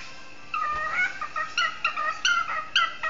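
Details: Pet male cockatiel whistling along to a tin whistle jig; clear whistled notes with short upward and downward glides, repeated in quick, bouncy phrases about every half second.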